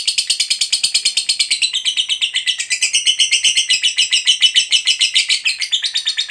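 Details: Long ngekek chatter from a fighter lovebird, a song meant to stir other lovebirds to sing: harsh, high, rattling notes pour out in a dense, slightly uneven run lasting over six seconds without pause.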